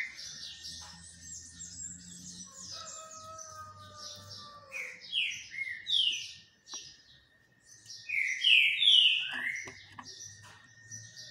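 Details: Singing while bathing in the sun, a green-winged saltator delivers loud descending whistled phrases, two strong bursts split by a short pause, over faint high twitter, a low hum and a few clicks.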